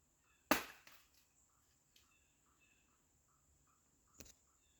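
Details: A Pileated Woodpecker pecking at a tree in New York strikes wood with a loud, sharp whack, then a few softer taps and a second hard blow about four seconds later. Faint short notes and a thin steady hiss sound behind.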